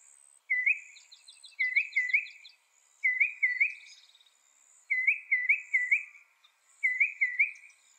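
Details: Northern mockingbird giving short bursts of two or three rising, slurred whistled notes, grouped and repeated roughly every two seconds, with faint high twittering in the background.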